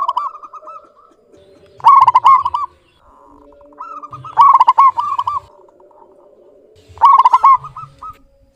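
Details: Local zebra dove calling actively with a clear voice. Three loud, rapid rolling coo phrases come about every two and a half seconds, each preceded or followed by softer notes, with a low cooing hum underneath.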